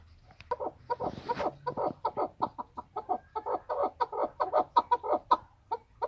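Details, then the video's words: Chukar partridge, an excited male recorded in Tajikistan in 2020. It gives steady, rhythmic chuck-chuck clucks, nearly three per second, with a brief noisy rustle near the start. "Садои Наркабки Маст 2020. Голос Куропатка (Кеклик) в Таджикистане 2020.Keklik in Tajikistan"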